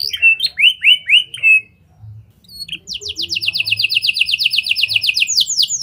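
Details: Canary song with lovebird and prenjak phrases, played as a lure for other canaries: a few rising whistled notes, a short gap, then a long fast trill of repeated notes ending in higher sweeps.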